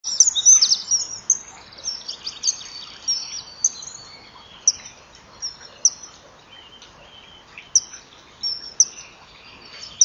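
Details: Male and female common kingfisher at a nest-wall camera, 07:20 on 2 March 2014, chasing a passing intruder from their territory: loud, sharp, high whistled 'chip' calls and rapid trills, densest in the first second, then scattered shrill notes at irregular intervals.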